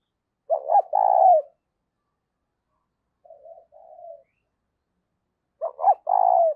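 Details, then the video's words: Spotted dove serving as a decoy, calling to lure wild doves. Two loud coo phrases, two short notes then a sustained note, are separated by a soft, quiet murmured coo. "tiếng cu mồi gáy kích bổi"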